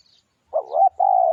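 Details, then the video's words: Spotted dove used as a lure, giving a single phrase: a short rising, wavering coo then a sustained level hoot, low-pitched and clean. "tiếng chim cu gáy mồi kích bổi nhanh nổi cực mạnh"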